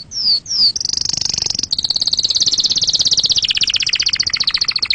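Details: Canary song aimed at exciting other birds and teaching young chicks: two falling whistled notes open a long dense high trill that slowly drops in pitch and ends in a downward sweep.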